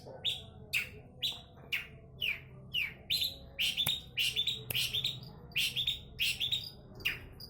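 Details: Long-tailed shrike in energetic song, giving loud, downward-sweeping chirps repeated about every half second in a steady, insistent rhythm over a quiet low hum.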